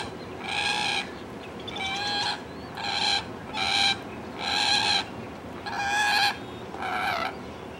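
A common moorhen gives seven harsh, nasal alarm calls, each under a second long and repeated about once a second, over a low background hiss.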